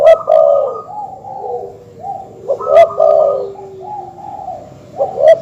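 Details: Repeated low coos of a terkukur or perkutut dove, meant to anger rival birds, mixed with sustained flat higher tones and sharp clicks roughly every two and a half seconds.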